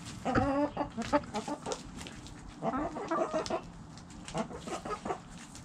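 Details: Backyard hens clucking in a relaxed flock, with bursts of quick, rhythmic, harmonic clucks and a few drawn-out, wavering notes, separated by short pauses, over steady low background noise.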